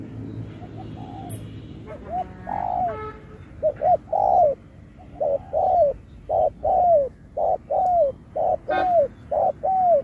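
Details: Spotted dove singing the 'Thúc kèm Bo' style in a 2024 singing contest: after a quiet start, a steady series of paired coos, a short note then a longer downward-bending coo, about once a second.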